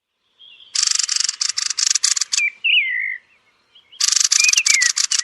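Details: Thrush at roost giving loud, harsh rattling chatter of rapid clicks about four per second, broken by a pause filled with short slurred whistled notes, then the dry rattling bursts resume.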